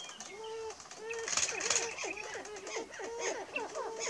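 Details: Greater prairie chickens on 30 March 2018 around dawn: repeated short whooping notes and chattering cackles roughly every half second, without the low drone, plus a high hiss.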